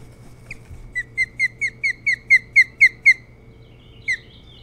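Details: An Osprey calls at its Hog Island nest near Bremen, Maine, caught by the nest camera before dawn on 3 July 2018: about eleven loud, clear whistled yelps, roughly four per second, then one final call after a pause.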